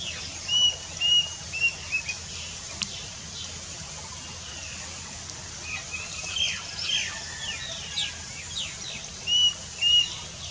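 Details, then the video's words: Plaintive cuckoo, a lowland species heard constantly through summer, sings short high whistled notes in brief groups of two to four, repeated every few seconds, over a hissy background with faint chirps from other birds. "Plaintive Cuckoo singing"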